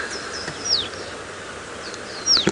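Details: Lesser Striped Swallow near a river at sunrise, about 6:40 AM on 26 July 2017, in Djuma Game Reserve, Sabi Sand, South Africa, giving two thin, high, downslurred notes about a second and a half apart over steady outdoor hiss.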